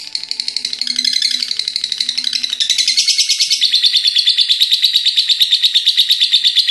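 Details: Pet lovebird in a long ngekek chattering bout said to continue until morning, recorded indoors: fast, harsh, high trilling pulses about three per second, growing louder and steadier, with faint low music underneath.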